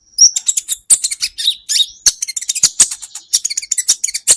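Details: Olive-backed sunbird singing on a training recording for songbirds. An unbroken, fast stream of shrill high chips, squeaky slurred notes and twitters runs with barely any pause.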